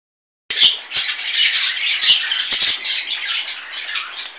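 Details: A young male cockatiel chick that feels at home gives a continuous harsh, raspy chatter, high and hissing, with sharp clicks scattered through it for about four seconds.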